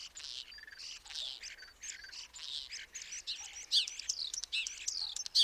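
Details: Common starling (Sturnus vulgaris) producing a dense, hissing chatter of wheezy phrases and slurred whistles. Thin sustained notes are mixed in, and the sound grows louder with sharper squeaks toward the end.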